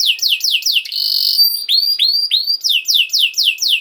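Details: Canary singing as a training model for young birds: repeated falling whistled sweeps, a brief steady buzzy trill, then upward-curving whistles and quick descending notes, all high and bright.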